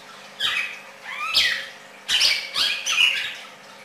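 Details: Red-crested cardinal delivering rich, harmonic slurred phrases in four bursts about half a second to a second apart, each with bending up-and-down notes, above a faint steady hum.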